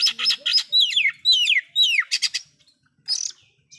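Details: Oriental magpie-robin singing loudly, a song said to provoke other magpie-robins; rapid bursts of sharp descending whistles and chattering notes, then a pause and a brief high trill.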